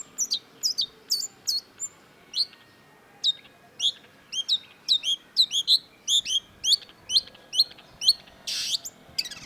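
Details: Long-tailed shrike in vigorous song: fast high chirps and whistled upslurs in irregular bursts, with one harsh rasping noise late on.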